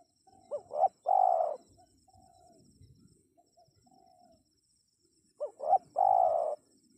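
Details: Spotted dove cooing to attract wild birds: two phrases about five seconds apart, each twin short hoots then a long husky coo, with faint murmuring low sounds and soft notes in the gap.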